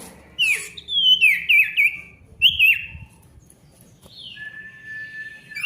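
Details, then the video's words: Male ashy tailorbird singing vigorously for restarting silent birds: a few loud wavering downslurred whistles in quick succession, then a long steady whistled note. "SIRTU GACOR RIBUT COCOK UNTUK SIRTU MACET BUNYI AGAR GACOR KEMBALI"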